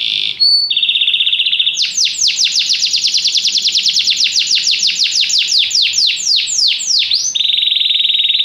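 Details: Canary song with a short whistle and buzzy trill, then a long loud sequence of rapid sweeping notes slowing slightly toward the end before a final steady high trill.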